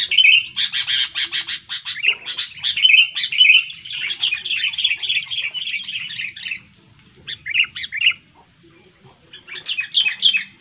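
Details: Sooty-headed bulbul in loud song for stirring quiet birds to sing: fast pulsed chatter at first, then flowing bubbly phrases, a near-silent gap, and brief warbled bursts returning at the end.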